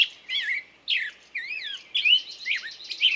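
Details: Close bird song: twisting, warbled whistles rising and falling, separate phrases about half a second apart, ending in a buzzy run of quick notes.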